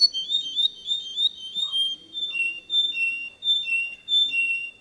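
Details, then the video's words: Canary singing a tutor song for young birds: bright whistled phrases with slurred notes, rising and falling in pitch, grouped in short bursts with brief pauses. "Chant Canari Super Pour l'écolage des jeunes sans fautes"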